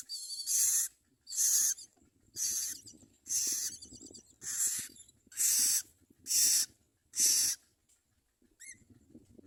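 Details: Common myna feeding its young: harsh, hissing bursts repeated about once a second in a steady series of eight, ending with a short thin whistled note.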